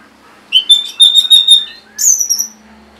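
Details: Orange-headed thrush song, used as a lure to prompt reluctant or stalled birds to sing: a bright whistled phrase of several quick repeated notes, then a higher sweeping whistle, on a quiet background.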